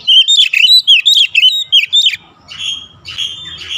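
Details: Oriental magpie-robin delivering a brisk sequence of loud, clear whistles and chirps for about two seconds, then softer, long whistled notes.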